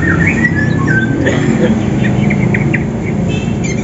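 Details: Greater green leafbirds, a Banyuwangi and a Sumatran bird, singing at morning as they seek a rival for contest preparation; quick whistled slurs and chattering notes dominate the first seconds, softer chips follow, over low mechanical hum.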